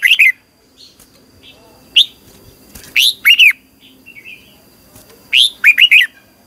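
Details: A red-whiskered bulbul sings in the morning, long twisted double-voice style, used to train and stir birds to sing competitively: scattered single whistled notes, then looping warbled bursts of three to four notes.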